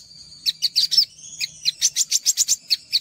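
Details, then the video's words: High, thin olive-backed sunbird song from a training recording for raw sogok ontong: a sustained whistle under spaced sharp chips, then a quicker string of clipped high notes. "MASTERAN SOGOK ONTONG UNTUK PANCINGAN SOGOK ONTONG BAHAN"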